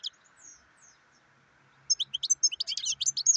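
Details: European goldfinch giving a few thin, faint whistles, then breaking into a loud burst of rapid, high, tinkling twitters for the last second and a half, with a low steady hum underneath.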